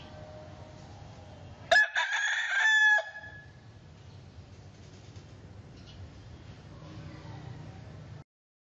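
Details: A big rooster crows once loudly, a harsh drawn-out cock-a-doodle-doo lasting over a second with a stepped, layered pattern, then quieter background with faint distant calls and low rumbling noise.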